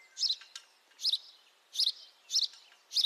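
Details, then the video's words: A house sparrow chirps, five loud, rasping cheeps spaced about half a second apart; recorded with a high-quality microphone, quiet background apart from a faint thin whistle. "House sparrow call, beautiful house sparrow sound [High definition sparrow chirping]"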